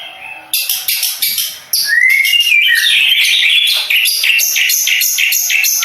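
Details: Following a quiet moment, a contest long-tailed shrike from Madura bursts into rapid harsh notes that build in volume, then a bright rising whistle and a fast rattling, pulsing stream of high chatter.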